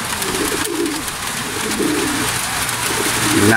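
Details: Racing pigeons caught in rain on returning from a training flight from Gapan, Nueva Ecija, Philippines, give low, rolling coos in soft bursts under a steady hiss of rain.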